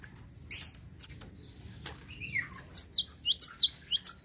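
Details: Java sparrow song meant to provoke other birds into singing. Soft clicks and a falling slurred note open into a rapid string of high, looping, tinkling notes repeated about every third of a second.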